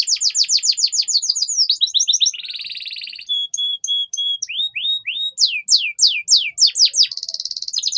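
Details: Domestic canary master song for teaching juveniles: rapid rising whistled sweeps, a low buzzy trill, a row of pure flat whistles, then more quick sweeping notes and a dry rattle, varied tours with little pause.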